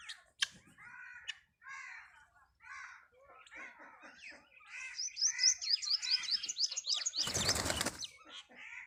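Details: Free-range farmed helmeted guineafowl give harsh, chattering calls in quick bursts, with a loud flurry of flapping wings near the end.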